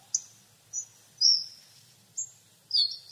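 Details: Hawfinch calls mixing short, sharp high ticks with longer, sibilant drawn-out seeps, five or six notes in quick irregular succession over faint low noise.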